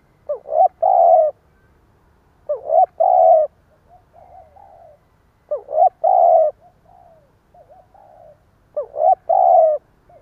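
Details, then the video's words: Spotted dove decoy calling in the provoking stuttered 'gù cà lăm' style: four phrases roughly every three seconds, each a choppy double note then a long low coo, with soft wavering coos between. "Tiếng chim cu gáy gù cà lăm gáy thúc gù kích bổi"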